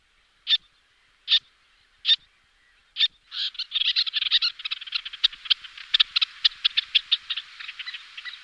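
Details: Little tern (Sternula albifrons) calling: four sharp, high 'kik' notes about a second apart, then a fast excited chatter of clipped, squeaky calls.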